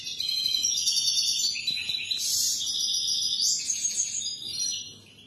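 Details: Continuous European goldfinch song used to teach young birds, fast tinkling twitters mixed with buzzy trills and liquid notes flowing for about five seconds.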